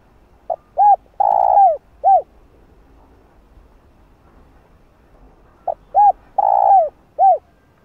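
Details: Two full phrases from a spotted dove calling to lure wild doves, 'giọng hạp' style, separated by about three seconds of quiet; each runs soft pip, arched coo, long rough descending crooo, arched coo.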